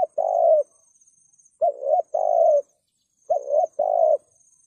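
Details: Spotted dove giving the thúc gù cooing used to lure wild doves into traps: three mellow phrases, each a short coo followed by a longer slurred, slightly falling coo, about every 1.6 seconds, with quiet gaps between.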